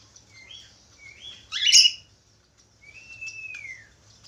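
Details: Budgerigar singing: short whistled chirps, then a loud rasping squawk, a pause, and one long smooth whistle that holds level before dipping downward; steady low hum behind.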